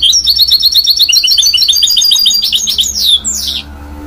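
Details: Continuous rapid rolling trill from a goldfinch-canary hybrid mule, repeated high notes about three per second in rhythm, ending with sweeping downslurred whistles and a faint low hum behind.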